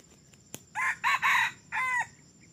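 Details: Red junglefowl that has been crowing for only three weeks, brought out as a decoy to lure wild junglefowl: a loud, clipped crow of four harmonic bursts, a short first note, two longer middle notes, a pause, then a final note, over faint insect hum.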